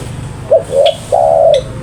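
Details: A single loud spotted dove phrase: a short clipped note, a soft middle note, then a long even coo that fades out. There is faint low background hum.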